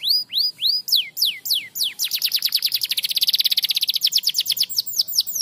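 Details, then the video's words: Canary song used to coax silent canaries into singing again: loud high sweeping notes, descending whistled slurs giving way to a fast rapid trill near the middle, then rising and falling slurs return. "Masteran Kenari StarBlue Gacor l Burung Kenari Macet Cepat Gacor Lagi"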